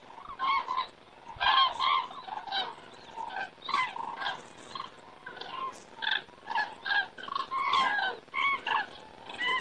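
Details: Cranes flying by and circling in the evening sky in Estonia, September; many short trumpeting calls from a flock, repeated in uneven pulses.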